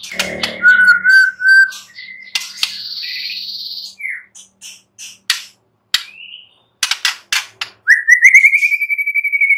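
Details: White-rumped shama song of varied loud whistles: a wavering low whistled phrase, sharp clicks and snaps, a high buzzy band, then a rising whistle into a fast pulsing trill at the end.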